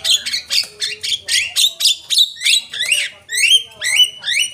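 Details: Javan myna calls used as a lure: a steady string of loud, grating squawks about three per second, the later notes ending in short rising whistled slurs.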